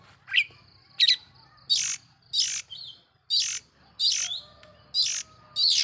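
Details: Long-tailed shrike provoking lure song: rough, rasping, rather noisy notes repeated at about one-second intervals, each a short harsh burst.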